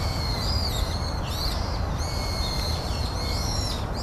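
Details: Brown-eared bulbuls at Yatsu tidal flat on 6 January 2013. Shrill, high calls swoop and arch downward, repeated and overlapping through the clip, over a constant low rumble of wind or distant traffic.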